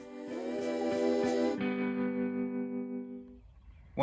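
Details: Guitar chords strummed in a rhythmic pattern, then a long ringing chord that fades, ending with a sharp burst of noise.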